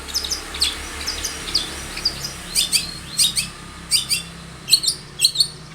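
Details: Long-tailed shrike song used as a lure: sharp high chips and short down-slurred whistles, often paired, repeated irregularly over a steady background hiss.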